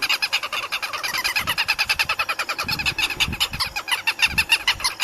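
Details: Southern lapwings caught on a webcam: a fast, unbroken run of harsh, strident, ringing notes, about three a second, with steady pulsing rhythm and faint low thumps underneath.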